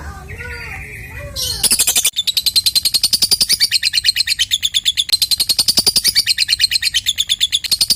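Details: Lovebird call used as a lure to prompt silent lovebirds to start calling; a dense, rapid train of harsh high chattering notes about two per second-fraction, running continuously after a brief softer chirping intro.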